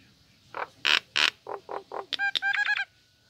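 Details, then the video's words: Caged female Nias hill myna gives a series of harsh, broadband squawks followed by sharp clicks and a quick cluster of ringing, harmonic whistled notes. "Jalak Nias Gacor Betina"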